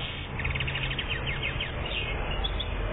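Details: Algerian European goldfinch, aged one year, 2014: a fast rattling series of high, evenly spaced twitters followed by a few looser slurred notes, against a persistent low droning background.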